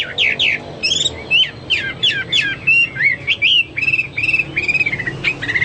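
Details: Hwamei, a pet songbird in full song, a loud varied run of clear whistled phrases, rising and falling slurs and quick repeated notes, delivered without pause against a low steady hum.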